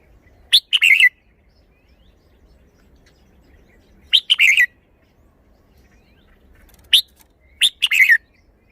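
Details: Red-whiskered bulbul showing its song phrasing: four short bursts of crisp, slurred notes, the phrases spaced a few seconds apart and delivered in quick clusters of two to four notes, with a quiet background.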